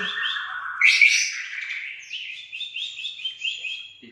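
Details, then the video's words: Aceh white-rumped shama singing: a drawn-out whistle breaks into a harsh burst, then a run of quick, bright, upslurred whistled notes repeated several times in steady succession. "Murai Batu Aceh"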